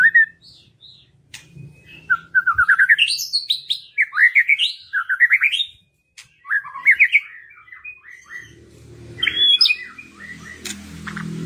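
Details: White-rumped shama lure song aimed at rousing other birds to sing: a long sequence of varied whistled phrases, rising slurs and quick stuttered notes, with a pause mid-way and some low background noise toward the end.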